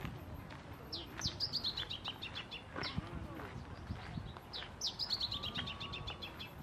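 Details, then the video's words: Male masked yellowthroat singing at Reserva Ecológica Costanera Sur, Buenos Aires, on 1 October 2022; two bright rapid descending series of sweet chirped notes, each about a second long, over a noisy background with low rumble. "Arañero cara negra: "En concierto""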